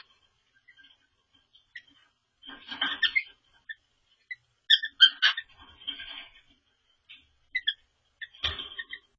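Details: Quirky song practice by a pet cockatiel being trodden on by another cockatiel: soft scattered chirps give way to a raspy burst, then bright stacked whistled notes and warbles, closing with a sharp scratchy call.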